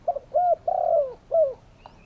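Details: One loud, close cooing phrase from a spotted dove: a brief note, a rounded coo, a long rolled coo falling in pitch, and an ending coo, with a faint high chirp afterwards.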